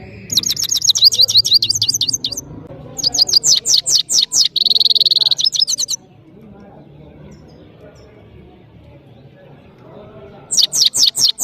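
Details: European goldfinch of Parachinar in powerful song: fast trains of high chirps and a buzzy trilled passage, then several seconds of near silence before the rapid twittering starts again.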